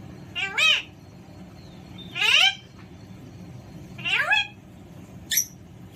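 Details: Alexandrine parakeet giving three loud, harsh, harmonic-rich squawks about two seconds apart, each with a falling tail, followed by a brief high chip; low background hum throughout.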